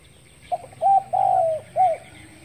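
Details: Spotted dove cooing in the morning, recorded 10 February 2021: a short soft note followed by two longer, level, mellow coos and a final coo, low and hollow in tone, over faint rural background hum.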